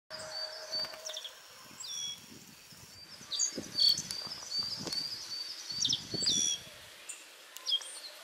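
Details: A Black-faced bunting perched on a cherry tree branch sings short, high, bright phrases of chirps and quick trills a few seconds apart, over a faint steady insect-like hum and low rumbles.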